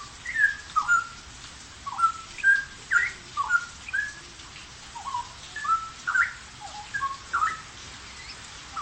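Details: Straw-headed bulbul singing energetically in its cage: a long, rapid sequence of bubbling whistled notes, swooping up and down, packed in quick clusters with short gaps, rich and melodious over soft background hiss.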